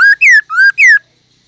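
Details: Black-throated laughingthrush, kept caged, delivers four loud clear whistled notes alternating rising and falling in pitch, ringing with strong overtones, then silence.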